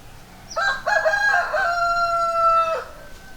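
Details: Rooster crowing once, loud and close: a stuttering, broken opening of rough notes, then a long steady drawn-out tone held for over a second before it cuts off abruptly; quiet background otherwise.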